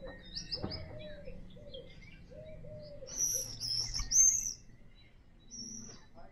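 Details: Common swifts near a house give shrill, very high, buzzy screams in short bursts, loudest midway and again near the end, over softer lower bird notes and background murmur.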